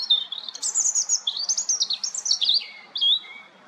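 A European robin sings a high, rapid, liquid phrase of tumbling twitters and thin trills that slides downward, ending in clear, drawn-out whistles.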